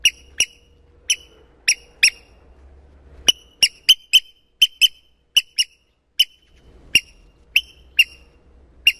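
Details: Eurasian oystercatcher hatchlings at Getterön, 13 May, morning: two out of the egg, one still pecking through. Brief, piercing peeps sound singly or in pairs, spaced irregularly and roughly seventeen in all, with a soft low rumble in places.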